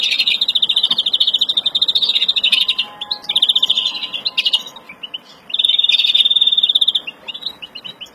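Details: Agitated European greenfinch of the Verdune mutation giving breeding song in April 2016: long rapid buzzy trills, dense and even, broken by short pauses and brief chirps, with a faint steady hum in the background.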